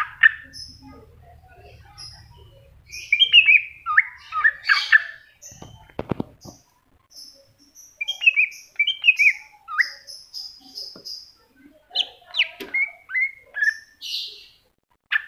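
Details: Greater green leafbird singing in masteran style, a rich medley of whistled, chirped and trilled phrases in quick bursts with short pauses, some high sharp notes and a brief low thump midway.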